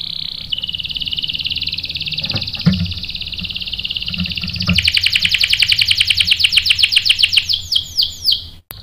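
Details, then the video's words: Lure song of a canary meant to make others answer with sharp rolls: a sustained buzzy high roll, then faster sweeping notes that gradually slow and separate, with faint background noise. "PANCINGAN KENARI GACOR bikin EMOSI jadi NYAUT NGEROL TAJAM | CANARY SINGING"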